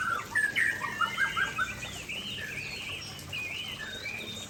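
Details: Aceh white-rumped shama in full song beside a waterfall, a run of sweet whistled notes and short slurs that trails off into softer phrases against constant water noise.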